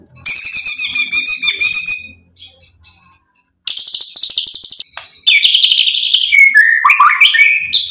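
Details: White-rumped shama singing to provoke a rival into answering: a high rattling trill, a pause, a harsh buzzy burst, then varied tumbling whistled phrases.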